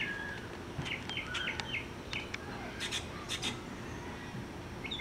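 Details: Mockingbird singing a serenade in a yard from roughly 50 yards away and 30 feet high: short repeated chirps and slurred whistles in bursts, with a few sharp clicks and steady low background noise.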